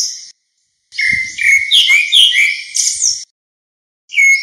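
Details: Grey-backed thrush calling the flock, recorded clean without background noise: one short note, then a sustained run of warbled, twittering whistles sliding between high and very high pitch for over two seconds, and another phrase starting at the end.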